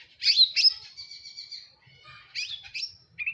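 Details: Madura long-tailed shrike singing hard: a sharp, harsh burst followed by a drawn-out, thin buzzy whistle, a pause, then another scratchy phrase and a short note, over a soft low murmur.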